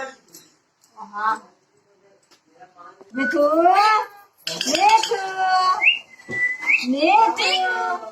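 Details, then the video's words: Talking parrot giving bursts of speech-like, upward-sweeping syllables and a brief level whistle, with faint clinking sounds in the background. "talking parrot spaeking"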